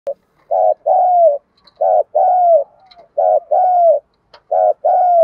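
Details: Female decoy spotted dove calling in the 'gọi 1 hậu' style to stir and attract males. Low, mellow coos: a short note and then a longer, slightly falling coo, repeated four times about every 1.3 seconds in quiet surroundings.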